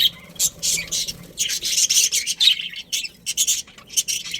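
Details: Budgerigars, a breeding pair in a colony, chirping in a dense run of bright, scratchy, high chirps in quick irregular bursts, almost continuous for over four seconds, with brief gaps between clusters.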